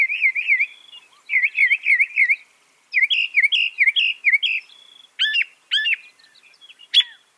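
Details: Northern mockingbird (Mimus polyglottos), mimicry song.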